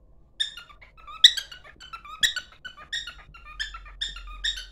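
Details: Pet cockatiel song performed on the way to its mate: harmonic squeaks alternating with a lower flat whistle, roughly one phrase a second, faint room hum beneath.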